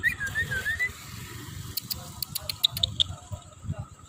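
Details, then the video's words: Tame Javan myna singing while taken on a walk along a road: a few wavering whistled notes at the start, then a series of sharp, clicking high notes in quick succession, with low traffic rumble beneath. "burung jalak kebo jinak dan gacor"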